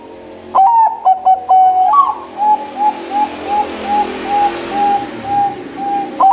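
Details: Champion Bangkok-type zebra dove (perkutut) gives one stuttering cooing phrase. It is followed by a run of short, evenly spaced coo notes about every half second over a steady noisy background hiss.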